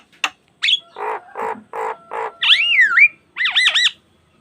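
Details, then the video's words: Asian pied starling song for training other starlings: a sharp click, four buzzy nasal notes, then a loud swooping whistle and a wavering warbled phrase. "Pancingan Jalak Kebo Gacor Mompa Full Variasi - Masteran Suara Burung Jalak Kebo Full Isian Mewah."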